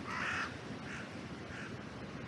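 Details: Crow in an oak tree at a cemetery, captured by a trail camera: one loud harsh caw followed by two fainter, shorter caws, with wind in the trees throughout.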